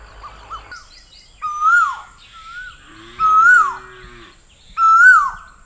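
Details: Asian koel repeating a loud, clear, drawn-out note that swells upward then falls away, three times at roughly two-second intervals, after a few softer short notes; a steady high whine runs throughout.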